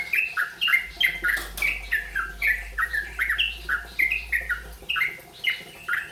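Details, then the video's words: Yellow-vented bulbul learning the rolpen song style: bubbly, slurred two-part notes, each dropping in pitch, repeated about twice a second in a steady run, with a low hum underneath. "burung trucukan belajar rolpen"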